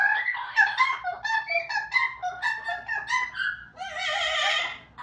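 Amazon parrot giving a run of loud, warbling, rising-and-falling notes like a sung tune, ending in a harsh, raspy squawk.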